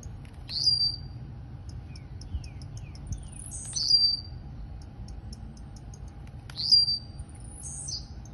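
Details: Three crisp, high buzzy bursts from a blue-black grassquit singing the Campainha style, recorded in Campo Grande, Rio de Janeiro, spaced about three seconds apart, each a quick upward flick, with a low steady hum beneath.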